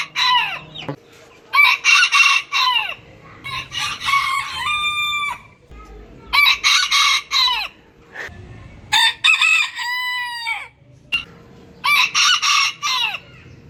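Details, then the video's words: Several roosters crowing in turn, each crow a loud harsh rising burst that settles into a held, slightly falling tone lasting about a second, roughly five crows overlapping and following one another closely. "ETKİLEYİCİ HOROZ SESİ BU SESLER HOROZLARI KUDURTUR !! ÇEŞİT ÇEŞİT HOROZ ÖTÜŞÜ"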